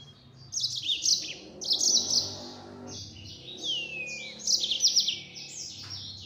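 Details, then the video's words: Yellow-fronted canary singing busily in the 'nembak' style: repeated quick bright chirped phrases, with one long descending whistled slur in the middle, over faint low background noise. "Burung Mozambik Gacor Suara Nembak Full Speed.."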